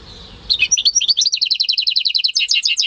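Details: Home-bred goldfinch × canary hybrid male singing, filmed in May 2015; a fast, rhythmic run of bright twittering notes repeated steadily after a brief quiet start.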